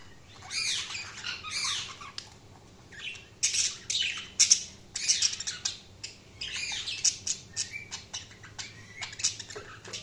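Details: Budgerigars chirping in a lively chorus: bursts of scratchy, buzzy chatter and squawks, with short warbled notes between louder squawking runs.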